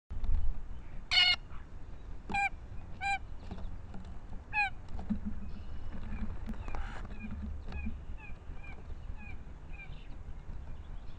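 A Blue Jay gives four nasal, whining calls in the first five seconds. Softer, higher chirps from other birds follow over a steady low rumble.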